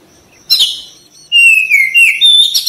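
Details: Oriental magpie-robin singing for a therapy recording aimed at quick, full song: one sharp burst, a short pause, then a long clear whistle sliding downward, followed by bright chirped notes.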